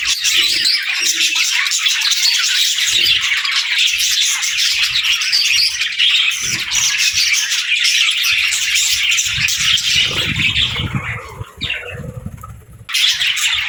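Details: A flock of pet parakeets and lovebirds chirps through the morning in rapid, overlapping twitters; the chorus thins and quietens toward the end, where duller low sounds come through, before the chatter returns.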